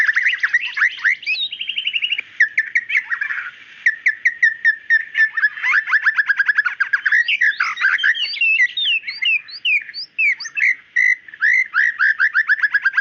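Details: Long, varied song of a female white-rumped shama calling the male: ringing whistles, churring passages and rapid staccato trills, with high flicked notes and downward-sliding whistles repeated toward the end.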